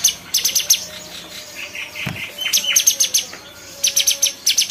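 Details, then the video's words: Cucak cungkok bulbul giving clustered high ticking chirps, a softer warbled passage midway, then a quickening series of sharp notes. "SUARA CUCAK CUNGKOK"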